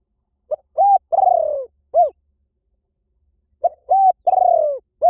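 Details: Two Spotted dove decoy phrases about three seconds apart. Each is a soft short coo, a flat coo, a lengthy quavering falling coo and a brief arched ending. The call is said to lure doves in from any forest.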